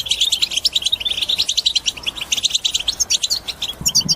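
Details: Goldfinch twittering song known as batbata, played to coax other birds into song: rapid regular pulses of high chirps and buzzes, ending with clear whistled notes and a faint low sound.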